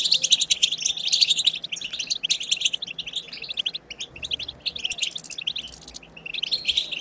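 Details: Wild-style chirping of the European goldfinch, meant to prompt other goldfinches into song; a fast, liquid twitter of high tinkling notes, loudest at the start, thinning around the middle, then resuming.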